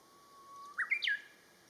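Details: Japanese bush warbler singing one phrase: a soft, steady, low whistle held for most of a second, then a quick loud burst of rising and falling whistled notes.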